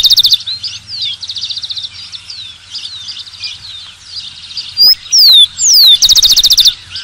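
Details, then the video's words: Rufous-collared sparrow: a fast trill opens, and later three sweet, falling whistles come in quick succession and end in a rapid, dry trill, with a chorus of other small birds twittering behind. "Tico-Tico - Uma hora de canto"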